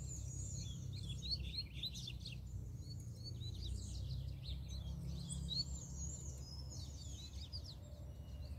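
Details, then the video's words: Wild, loose double-collared seedeater singing steadily throughout: fast, high-pitched twittering phrases of sliding chirps and short trills. A constant low background hum runs beneath. "COLEIRO SOLTO FORTE CHEGOU PICANDO CANTO!!! FIBRA DEMAIS!!!"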